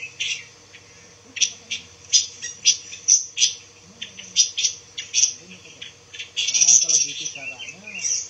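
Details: Song of a pancawarna, a rare songbird used as training material for white-rumped shamas: sharp, high chirps in a loose repeated series, ending in a dense scratchy trill, with a man speaking softly underneath.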